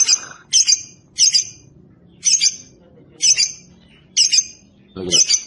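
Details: Lovebird calling with loud, harsh, high squawks, each a doubled shriek, repeated roughly once a second with short quiet gaps between.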